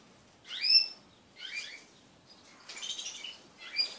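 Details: Pet crested canaries mating collectively. Four separate bursts of high twittering: sharp down-slurred chirps, then a denser, buzzier rattle, and a final short chirp.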